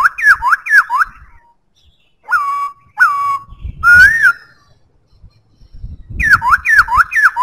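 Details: Black-throated laughingthrush song mixing quick bouncing down-slurred whistles in rapid threes with slower, longer level and rising-falling whistled notes, separated by short pauses, with faint low noise between phrases.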